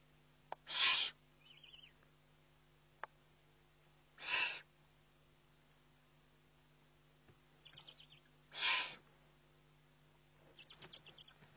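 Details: Eurasian eagle-owl filmed by a nest webcam while feeding, 29 May 2011: three rough, hissing bursts about four seconds apart, each followed by brief soft chitters, with occasional clicks and a constant hum.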